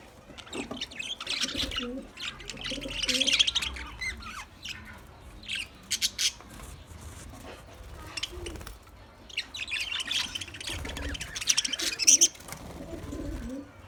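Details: Caged budgerigar chirping: bursts of high twittering and squawky chatter around one to four seconds and again near ten to twelve seconds, separated by quieter stretches with scattered short chirps and some low background rumble.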